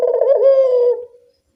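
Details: Evening call of a Barbary dove, used as a lure for doves that seldom call: a single throaty coo, rolling at first, then smooth and drawn out, fading after about a second.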